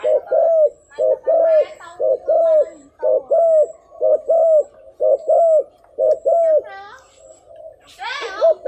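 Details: Decoy spotted dove sounding a regular string of deep, arched coos roughly once a second, followed near the end by a loud sweeping squeal of another sound.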